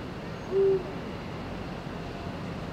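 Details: Eurasian eagle-owl (Bubo bubo), recorded 2023-02-16, gives one deep, steady hoot lasting under a quarter second, over a faint low rumble.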